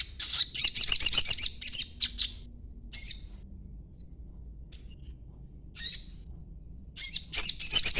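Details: Chattering song of a young sogon in green plumage, used to lure other sogon into answering; bursts of high, hurried, scratchy twitters alternate with brief pauses and isolated sharp chips, ending in another quick chattering run.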